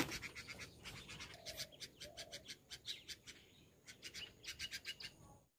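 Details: A mother red-vented bulbul gives a fast run of sharp, scratchy chirps, about four a second, in alarm at a person near her nest as her chicks beg for food, with a couple of lower whistled notes and background noise.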